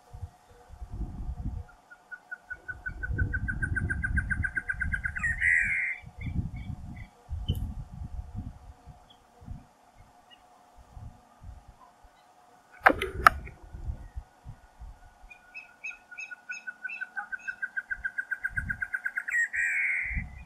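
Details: Female Great antshrike singing in the Caatinga: a bouncing series of short notes that speeds up and climbs in pitch, ending in an emphatic burst, given twice. Low thumping noises and one sharp click are heard midway.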